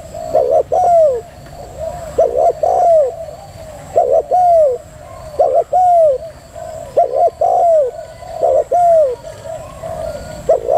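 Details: Female spotted dove cooing rhythmically: paired notes, a quick clipped one then a drawn falling coo, about seven phrases in eleven seconds, with steady faint background hiss.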